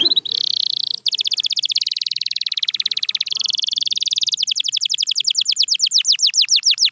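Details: Canary song opening with a steady high trill, then long rapid rolling tours of fast repeated notes, ending in a series of descending swooping whistles about five per second.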